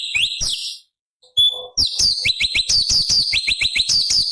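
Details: Cucak cungkok bulbul, a forest recording used as training material for other songbirds, with high-octave variations: bright chirps and rising notes, a short pause, then rapid repeated upslurred chips over a dense, steady run of high calls.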